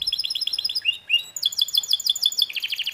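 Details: Canary song: fast trills of short bright notes, a brief rising slur near one second, then a steady rapid high rattle and a final buzzy trill, all clear and close.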